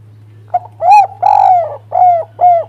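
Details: Spotted dove calling, played to stimulate other doves to sing: a series of four to five mellow, slightly downslurred coos, the middle note longest, with a steady low hum beneath.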